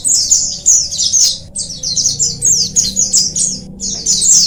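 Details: Many oriental white-eyes singing together, used to encourage lazy birds to sing: shrill, rapid twittering phrases packed closely, briefly pausing at about one and a half seconds, over faint steady low hum.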